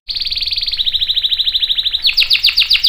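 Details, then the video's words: Canary singing a long roll to spur others to sing: a fast even trill of repeated notes, dropping slightly in pitch, then loud separate descending whistled notes. "PANCINGAN KENARI GACOR CUIT CUIT bikin NYAUT ikutan BUNYI Ngerol panjang | CANARY SINGING"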